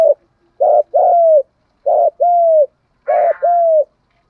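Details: Spotted dove giving a 'thúc gù' style lure call used to provoke wild doves: three paired coos, each a short rough note followed by a longer smooth, slightly falling coo, spaced roughly every 1.2 seconds against silence.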